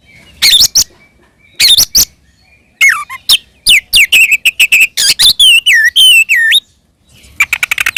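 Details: Fighting song of an Oriental magpie-robin that provokes rivals: scattered sharp notes, then a fast string of whistled slurs and chirps swooping up and down, a short pause, and clipped rapid chirps at the end.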